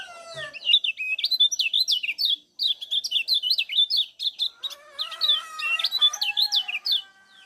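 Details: Lombok's kecial kuning (lemon-bellied white-eye) delivering continuous 'ngejos' song meant to stimulate other birds: fast, high, scratchy chirps and slurred twitters in long unbroken strings, with softer lower notes later.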